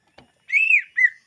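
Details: Song of a greater green leafbird, meant for luring wild birds. A faint click comes first. Then a long, bright, arched whistle slides downward, followed by a short level whistle and the start of another.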